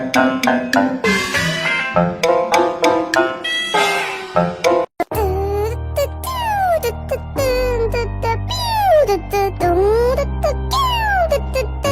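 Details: A lively children's song plays throughout, with bright sung melody, steady beat and backing instruments, and no animal voice stands out.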